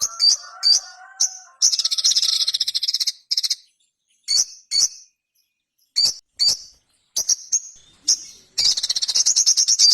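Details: Ruby-cheeked sunbird song: very high, thin chirps and sharp ticks mixed with fast buzzy trills, in irregular bursts with short pauses; faint lower drawn-out whistled tones early on.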